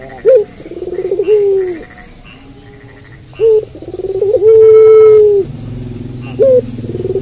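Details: A puter pelung dove calls at night. Short sharp notes and rippling trills lead into level, drawn-out coos. The calls are softer, with a faint low rumble in the background.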